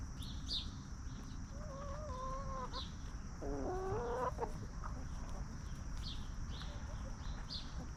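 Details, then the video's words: Free-range hens roaming a backyard farm yard, scratching and snacking; two drawn-out nasal clucks with wavering pitch, the second rising, over steady low rumble and a constant high hiss. "Chickens Roaming, Snacking & Clucking"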